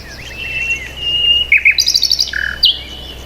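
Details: Bird chirping in a short run: a thin sustained whistle, then quick rapid twitters and a brief lower buzzy note near the end, over a low steady hum.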